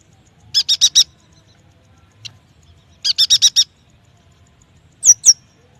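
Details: High-pitched yuhina song used to coax young or quiet birds into singing. Two quick runs of four sharp chips, then a pair of thin downslurred notes, all clear against near silence.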